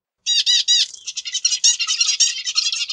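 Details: Zebra finch giving three loud, strident, sweeping notes, then a fast, continuous run of high, scratchy, chattering syllables. No other sounds are heard.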